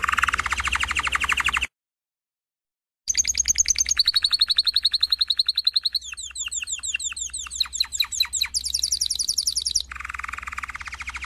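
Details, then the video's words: Canary singing: a buzzy rattling roll, a short silence, then quick falling whistled notes running into rapid high trills and a final lower buzzy roll. "Chant Canari CD 2016- اسطوانة تغريد كناري جاهزكاملة"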